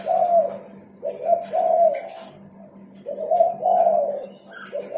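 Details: Vigorously singing spotted dove, recorded for coaxing birds into song: two low, mellow cooing phrases separated by a pause, each a few quick notes ending in a longer coo, against faint hum and small clicks.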